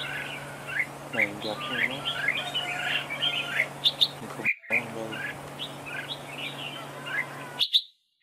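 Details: A red-whiskered bulbul decoy in a trap duel sings repeated short, sharp whistled phrases roughly every half second, with a brief low harmonic sound near the start and a constant background hum.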